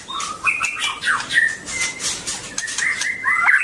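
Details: Brief burst of white-rumped shama song, long-tailed type, made of clear whistles and quick slurred notes, set against a hissy background with some clicking.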